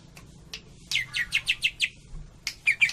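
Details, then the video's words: Cililin greater green leafbird in kapas tembak style: several scattered clicks, then a run of six rhythmic downslurred high notes and a brief chattering ending. "Cucak Ijo 86 Tembakan Cililin,kapas tembak"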